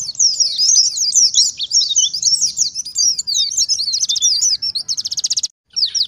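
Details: Oriental white-eye song for luring wild white-eyes: continuous high, rapid, zigzagging twitters, then two short buzzy trill bursts, a brief silence, and a final chirp.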